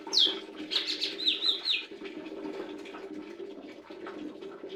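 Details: Lesser green leafbird singing: a bright descending whistled sweep, then a quick run of high, wavering whistled notes over about two seconds, ending abruptly, with a steady low hum underneath.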